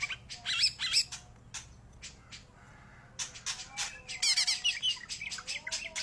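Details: Greater green leafbird in vigorous song, with clusters of scratchy chattering notes and thin high whistles, a quieter pause in the middle, then a renewed burst of rapid harsh notes.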